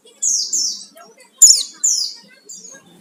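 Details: Lure song of an Oriental white-eye (pleci), meant to provoke singing: a series of high, thin whistled phrases, each gliding downward and fading, with one sharper click-like burst in the middle.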